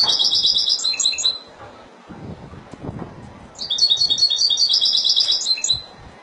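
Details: Spanish-style European goldfinch song of the Malaga type, lovers of goldfinch singing: two bursts of rapid, high, tinkling trilled notes with buzzy twitters, separated by a quiet pause with faint low background noise.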